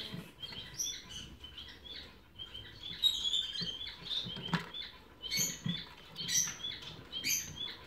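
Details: Young sibling cut-throat finch nestlings (2018) give thin, high, squeaky chirps in uneven bursts, roughly one a second, over soft rustling and patter.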